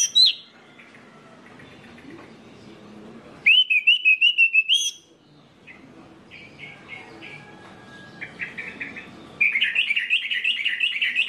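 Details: Orange-headed thrush singing as a lure to set other birds of its kind singing: loud bursts of rapid, high whistled notes, then quieter scattered phrases, and a final burst of dense, warbling notes over faint background noise.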